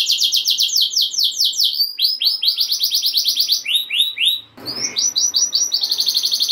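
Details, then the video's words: Rolling canary song to excite other canaries into singing, made of fast repeated trill notes, swooping slurred phrases, a short noisy break, then more rapid high trilling. "Kenari Gacor Ngeroll Nembak Joss! Buat Naikin Emosi Kenari Lain Biar Gacor Ngedur Ngerek"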